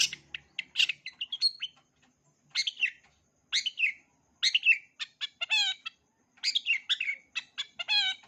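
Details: Long-tailed shrike singing a full 'isian' repertoire meant as a tutor for young shrikes: bursts of harsh chattering notes, sharp downslurred chips and buzzy harmonic rasps, delivered in phrases separated by short pauses.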